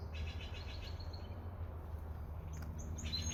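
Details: Steller's jay calling in British Columbia, Canada: a rapid series of about eight repeated rasping notes lasting roughly a second, followed by scattered high chips from other birds, with constant low background rumble.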